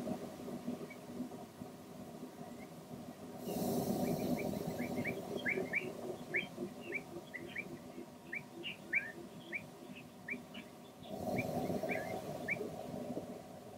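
Long-toed stint giving short, high chirping notes, several a second, against a steady low hum and two bursts of rushing traffic or wind noise.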